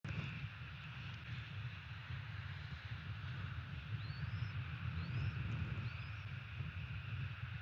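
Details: Bald eagle at its nest in Florida on 30 December 2017, late morning: three thin, high whistled notes, each rising then dropping, spaced about a second apart near the end, over a constant low rumble of wind and traffic.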